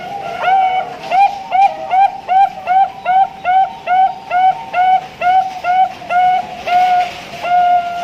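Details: Ringed Bangkok-type zebra dove, bred in Pasuruan, East Java, Indonesia, hatched 8 August 2023, singing 'lelah ujung panjang' style: a fast series of about sixteen bright, ringing notes, three or four per second, finishing in a long clear drawn-out note, with light hiss.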